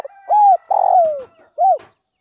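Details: Spotted dove of north-western Vietnam in early morning, used as a lure bird, uttering a clean arched coo, a long rough descending coo and a final short coo, with a faint steady tone behind.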